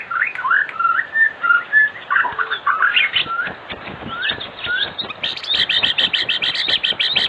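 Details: Afternoon lure song from an actively singing white-rumped shama, used to get silent shamas singing: mixed whistles and chattering notes, ending in a fast, steady run of sharp high pulses.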